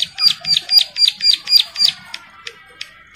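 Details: Bar-winged prinia in breeding condition calling to a female, with other birds answering: a fast run of sharp, high, buzzy notes, about four per second, slowing into a few scattered ticks.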